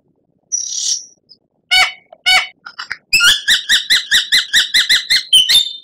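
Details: White-rumped shama song for training captive birds: a thin high hiss, two short stacked bursts, then a rhythmic series of about a dozen sharp, clipped notes repeated at an even pace.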